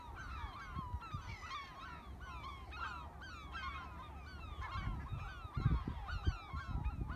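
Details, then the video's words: A flock of gulls at a freshwater reservoir in Rye, Kent, calls over and over with harsh, slurred, nasal notes overlapping above a steady low rumble of wind. "The Sound of Seagulls"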